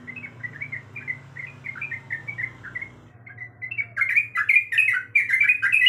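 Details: Female sooty-headed bulbul in breeding condition calling to a male: rapid run of short bubbly chirps, then a louder, denser burst of overlapping sharp notes after a brief pause, over a steady low hum.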